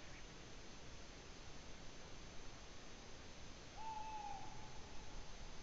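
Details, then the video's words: Tawny owl at Ūpis in Latvia, 8 May 2017, giving a single short level note that dips slightly at the end, late in the recording, set against a steady background hiss. "Tawny Owl call"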